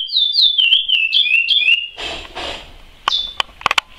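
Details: Chestnut-bellied seed finch (curió) of the 'praia' singing style sings a fast run of clear, sliding whistles, rising and falling, followed by a burst of noise and a few sharp clicks.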